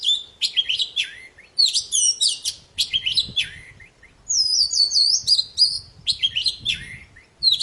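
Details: Loud, busy poci song, played to silent birds to make them sing: rapid tumbling phrases of high whistles, downward slurs and buzzy chirps, plus a fluttering high warble in the middle.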